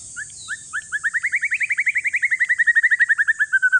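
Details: Caged one-year-old male white-rumped shama of Aceh forest lineage, used to stir other shamas into song: a long rapid series of short slurred notes, about seven per second, climbing then slowly falling in pitch.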